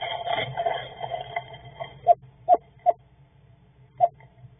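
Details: Eastern screech-owl pair chattering in the evening amid nesting behaviour: a wavering, reedy opening, then four short, clipped mid-pitched notes spaced unevenly over two seconds, over a low steady hum.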